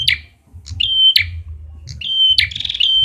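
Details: Red-headed prinia lure call: three high, steady whistled notes, each ending in a sharp buzzy burst, repeated roughly once a second over a low background hum.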